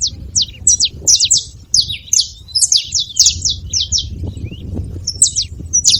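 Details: Free-living wild saffron finches at a feeding spot, a group making noise: rapid high chips sliding steeply downward, tumbling over each other almost continuously with brief gaps, plus faint low rumble underneath.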